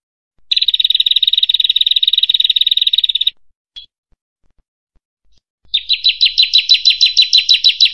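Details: Bar-winged prinia: a fast, buzzy trill lasting about three seconds, then a single note and a pause, followed by a run of sharp, down-slurred chirps repeated about three per second.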